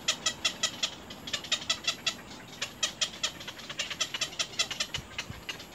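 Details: Little egret chicks at the nest attacking their mother with bites: continuous ticking chatter near three per second, with two soft low knocks toward the end.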